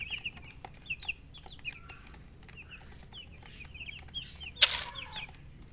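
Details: Baby chicks peeping in a steady chatter of short, high, downward-sliding chirps, several birds overlapping, with a brief sharp clatter near the end.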